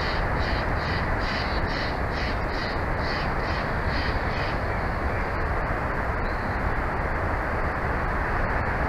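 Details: At a Big Bear Valley bald eagle nest on a live cam, 06/04/2024, 14:35, a rapid string of roughly ten high, slightly harsh piping notes for the first four seconds, then only constant rumbling wind-like noise and soft clicks.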